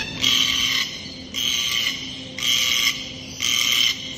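A red-tailed black cockatoo gives four harsh, grating, buzzy calls, each about half a second long, repeated roughly once a second, with a low steady hum behind.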